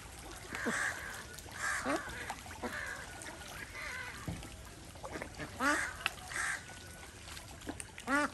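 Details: Desi ducks swimming in a pond on a small village duck farm in India: short nasal quacks come in scattered bursts, some with drooping harmonic tails, over steady background hiss and a few other farmyard sounds.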